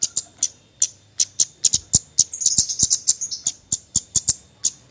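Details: Javan white-eye with nyecret-style calls used as a lure for silent birds: spaced high sharp chips, then a dense, rapid twittering burst in the middle before the spaced chips return.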